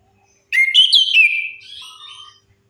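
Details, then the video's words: Orange-headed thrush song used as a lure to get silent birds singing: one loud whistled phrase sweeping upward and wavering, then a softer, lower trailing tail about two seconds long. No other sounds. "Suara pancingan AMPUH 100% untuk Anis Kembang Macet Bunyi"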